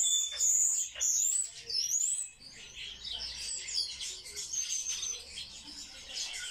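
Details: Sparrows kept in captivity and described as highly social give bright high chirps and a few thin whistled notes early on, then a busy, softer run of overlapping tweets, with a low hum beneath.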